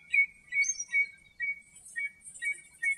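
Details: Common redshank (Tringa totanus) singing in its natural habitat in Greece before being attacked by another bird: a fast run of clear, fluting, slightly downslurred whistles about every half second, faint high hissing calls in the background.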